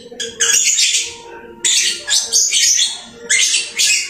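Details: Lovebird at home chattering eagerly in three loud rasping, shrill outbursts, each lasting about a second, separated by quieter low murmuring noise.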